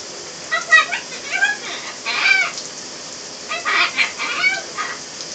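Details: A pet Great-billed parrot chatters in short bursts of harmonic, speech-like talk while in the shower, over steady running water.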